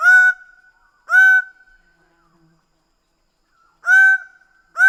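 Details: Greater bird-of-paradise uttering four harsh, reedy honks: two about a second apart, a long silent gap, then two more; each note slightly upslurred with trailing resonance.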